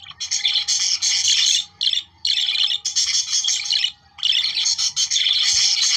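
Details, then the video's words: Australian budgerigars warbling to stimulate reproduction, long bright chatters of squeaks and clicks broken by two short pauses, a faint steady hum below. "Periquitos 🦜australianos para activar su reproducción"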